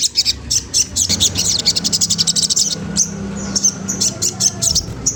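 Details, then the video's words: Spiderhunter, locally sogon trotol, calling to goad a rival into singing; dense runs of thin, high chirping notes in quick succession, a short pause near the middle, then more scattered piercing chirps over a low steady drone. "Suara bunyi sogon trotol menggoda lawan ampuh banget untuk rangsangan bunyi"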